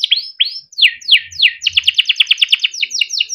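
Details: Yellow Timbrado canary song of sweeping downslurred whistles followed by a fast, even trill of chirped notes, with faint low thuds.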